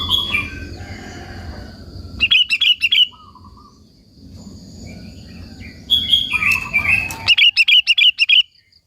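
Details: Sooty-headed bulbul singing to call and excite other bulbuls; quick trills of bright repeated notes come in two bursts over a steady broadband background noise, with a soft lower chirp between.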